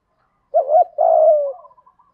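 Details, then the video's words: One spotted dove phrase used to draw wild birds: a quick rising-falling note, then a sustained coo sliding gently downward and trailing off. "Chim cu gáy thúc gù cực đỉnh dùng để anh em kích bổi mới hiệu quả, bổi gáy theo rất sung"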